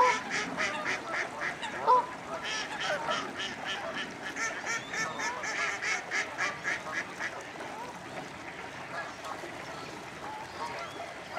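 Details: Common starlings preparing to roost at Slimbridge Wildfowl Trust in Gloucestershire, UK, a big flock producing rhythmic bursts of crackling, clicking chatter that fade toward the end, with an occasional goose-like honk.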